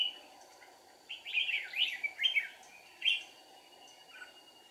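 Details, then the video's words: Decoy red-whiskered bulbul during a deep-forest trapping outing on 1 April 2019: a rich run of tumbling, rising and falling whistled notes, a pause, then one more loud phrase, with a steady hum underneath. "Bẫy chào mào Rừng sâu bổi cực dữ ché nẹt mồi"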